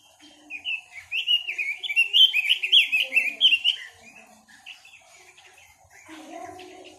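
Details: Chinese hwamei singing: a loud run of rapid, varied whistled phrases sliding up and down for about three seconds, then softer scattered notes, with faint lower voices and a hum in the background.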